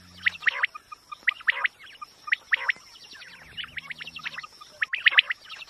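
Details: Quail triplets sounding among busy chirps of other birds, each burst three quick piercing notes, repeating irregularly through the recording over a steady high tone; recording said to work well for hunting.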